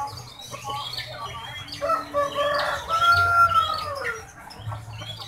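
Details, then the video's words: Market rooster in Sukoharjo, known for a rare crow resembling the name Jokowi, gives a drawn-out, slightly bending crow amid busy background chatter, clucks and clattering noise. "Ayam UNIK berkokok JOKOWI"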